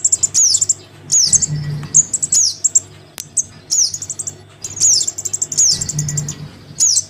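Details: Lure recording of a young Crimson sunbird begging for its parent: piercing high downslurred notes and quick stuttering trills come in clusters about a second apart, with a soft low hum rising now and then.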